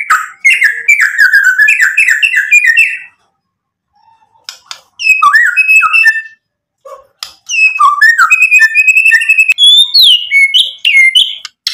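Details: White-rumped shama singing as a lure to make rival males answer: quick chattering whistles, a pause, then scattered slurred notes building into a long run of varied rising and falling whistles.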